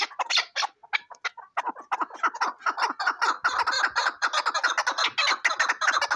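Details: Chukar partridge calling: a fast series of short, harsh chuckling notes around mid pitch, irregular at first, then running together into a dense, steady chatter of about two or three notes per second.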